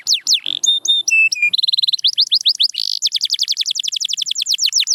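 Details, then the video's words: Singing canary for practice and motivation: varied phrases of falling whistles, steady flat tones stepping downward, then a long run of quick repeated descending notes. "Watch Silent Canaries Start Singing Again – Magical Sound Inside!"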